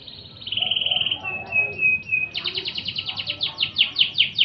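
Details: High canary tour from a magpie-robin training recording: a smooth rolling trill gives way to a level whistled tone with brief pips, then a loud series of rapid downward-slurred notes repeated steadily.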